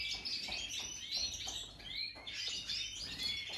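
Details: Major-type European goldfinches, 2023: lively twittering phrases of quick chirps and clear upslurred whistles, broken by short pauses, with a brief soft flutter in the background.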